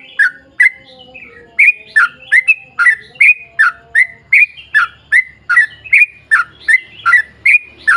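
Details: Sooty-headed bulbul in long, rapid-fire ropel singing, used to coax other bulbuls into song: short, sharp chirped notes, each bending down then up, repeated about two and a half per second, with faint soft tones beneath.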